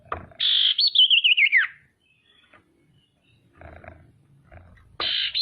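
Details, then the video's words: A lure female common iora, meant to goad rivals into calling and anger: a buzzy opening, then a rapid rippling trill dropping in pitch, a quiet pause with low thumps, and the next buzzy phrase starting. "SIRTU BETINA GACOR PANCINGAN"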